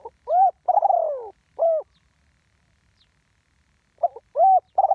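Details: Live recording of a spotted dove cooing in the ground-decoy style: a short note, a long wavering falling coo, and a clipped coo, then after a pause another burst of short arched coos.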